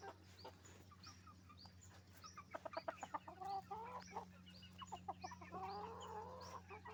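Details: Roosters and hens noisy on a chicken farm, with bursts of fast clucking and longer wavering calls over a steady low mechanical hum, plus high upslurred peeps throughout.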